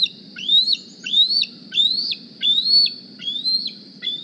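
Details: Bald eagle fledgling from the 2020 Decorah nest returning in the morning to beg for a meal; six piercing upslurred squees, each dropping abruptly at its end, repeated roughly every 0.7 seconds over electrical hum.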